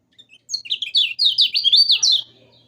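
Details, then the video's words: Yellow-vented bulbul song used to coax silent or learning bulbuls into singing: one bubbly, warbled phrase of quick up-and-down notes lasting about two seconds. "Kecial kuning Masteran Paling Mantap Bagi Yang Penghobi Burung Kecial Kuning"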